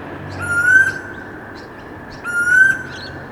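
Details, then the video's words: Storm bird, or Pacific koel, singing in a suburb in the late afternoon: two rising whistled notes about two seconds apart, high chirping from other birds, and a faint constant hum. "Loud Storm Bird Singing Sound Effect"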